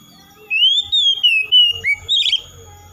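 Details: [0]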